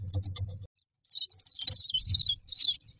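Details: Common myna chicks in a nest box, standing in a row waiting for food: after a short pause, harsh high raspy chattering begging calls build up and run almost continuously, with low thumps beneath.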